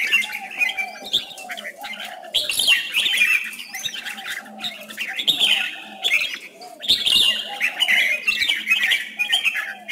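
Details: Competitive song of a red-whiskered bulbul used as a lure to coax others to sing: bright, jumbled warbling bursts recurring every second or two, over lower, softer repeated whistled notes.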